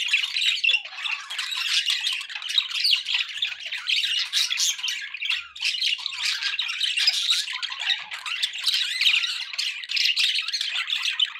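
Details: Several pet budgerigars chattering together: a dense, continuous wash of squawky, scratchy warbles and sharp chirps that overlap without pause, steady in loudness throughout, with no other sounds.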